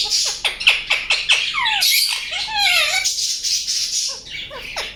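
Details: Indian ringneck parakeet chirping: quick repeated sharp chirps, then harsh raspy squawks mixed with falling whistled notes, ending in softer scattered chirps.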